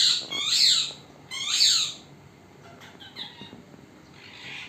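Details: Parrot filmed without its knowledge; two loud, raspy, descending calls in the first two seconds, followed by softer scattered calls and faint rustling.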